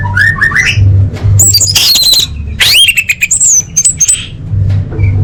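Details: Orange-headed thrush singing on a tutor track for big contests and training events: harsh squawky bursts, upward-sweeping whistles and quick high chips in an irregular sequence, with a constant low droning hum beneath.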